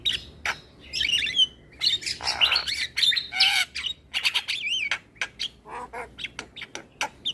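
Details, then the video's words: Asian pied starling song played each morning as a model for young starlings to learn from: a jumble of harsh squawks, clicks and wavering whistles, with one looping warbled whistle near the middle. "Masteran Burung Jalak Belajar Bunyi Putarkan Suara Jalak Kebo Setiap pagi"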